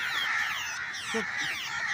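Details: Babblers caught up in net-trap bird hunting, a continuous wall of harsh, scratchy chattering from several birds, with faint human voices low beneath.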